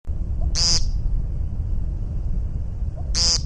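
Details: American woodcock (Scolopax minor) gives two short, harsh, nasal peent calls about three seconds apart, each preceded by a faint low hiccup, over a steady low rumble.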